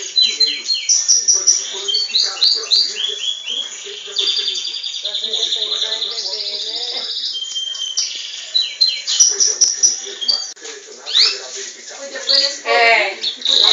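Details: Belgian canary, bred in captivity, singing a long varied song, possibly vying with a recording of itself. Quick repeated chirps lead into rattling trills, a sustained rolling passage, then loud bursts of sharp descending notes.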